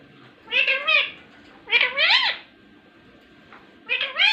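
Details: Talking ringneck parrot, a rose-ringed parakeet, produces three bursts of voice-like, wavering syllables, each rising and falling like speech, separated by pauses, indoors.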